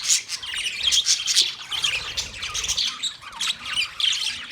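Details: Budgerigar colony of 30 pairs chirping together: a dense, continuous wash of overlapping high chirps, squawks and warbling chatter from many birds, with no pauses and loudness swelling and dipping.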